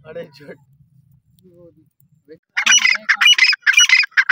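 A partridge bursts into loud, harsh, grating calls, quick notes repeated about twice a second, after a quiet opening with faint low murmurs.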